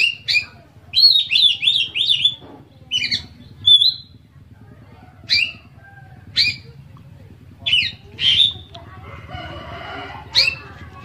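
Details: Oriental magpie-robin (kacer) in gacor form, delivering a full isian song meant to make other magpie-robins join in; a fast run of five bouncing whistles, then scattered sharp rising and falling notes and a short raspy burst.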